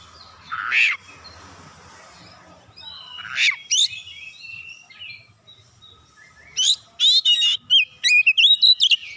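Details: Lure song of an oriental magpie-robin, singing energetically through its repertoire: a loud harsh note, a pause, scratchy chirps, then a rapid run of sharp, high, twisting whistles and clicks near the end.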